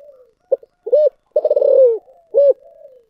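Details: Spotted dove singing in the 'giọng thổ sấm' (thunder-voice) style: a short soft note, a rounded coo, then a long throbbing, pulsed coo sliding downward, closed by one more short coo; clean and close.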